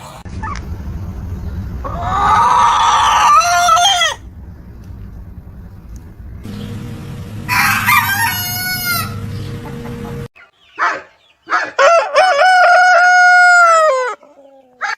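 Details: Several morning rooster crows in succession: two long harmonic crows, each ending in a falling tail, over a low steady hum, then clicks and a final full crow that holds level before dropping away.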